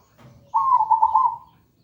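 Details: ['A single bright, fast-trilled coo from a zebra dove, kept level for about a second over a quiet background. The recording serves as a lure to get another zebra dove singing loudly and clearly.']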